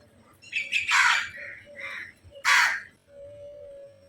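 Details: Crow calls from a flock, described as fighting: several overlapping rough, hoarse caws of varying length, ending with one loud harsh caw, over a faint steady hum.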